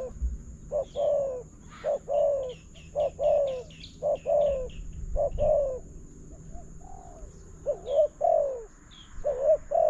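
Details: Spotted dove coos answering a decoy in a bird-trapping session at a new trap. Soft, hollow notes are repeated in uneven rhythmic phrases, nearly one per second. Thin chirps from other small birds come between them.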